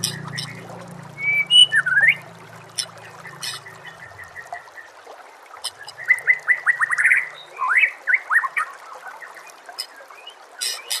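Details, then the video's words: Song of a white-rumped shama, used as a master tape for training, over nature ambience with running water. Clear whistles and looping slurred notes build into a fast run of curling phrases, and a low rumble fades early. "murai batu anda dengar suara MASTERAN burung seperti ini"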